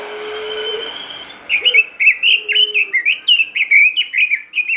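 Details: Robin in vigorous song used to make other robins start singing. Following a low steady tone and a pause, a rapid chain of bright chirped notes, about two per second, bends upward and downward through to the end.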